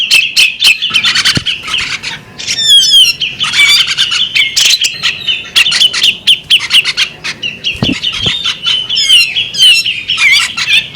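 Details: Long sequence from a female bearded magpie robin: rapid squawky chirps, chattering runs and scattered whistled slurs, with a steady high ringing tone throughout.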